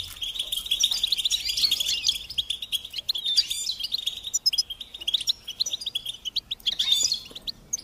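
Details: Goldfinch song tape for teaching chicks: a rolling, bubbly stream of sharp chirps and fast trills, densest at the start, then broken into choppier twittered bursts with a bright flourish near the end.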